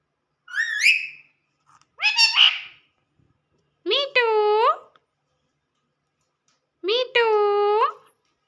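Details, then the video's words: Pet talking parrot indoors in a small room, asking for roti (bread): four harmonic, speech-like utterances. Two short chirpy rising phrases come first, then two longer nasal, steady drawn-out syllables about three seconds apart. "Mummy mummy mitthu ko roti do # cute 🥰 lovely 😍 funny 🤣 talking parrot"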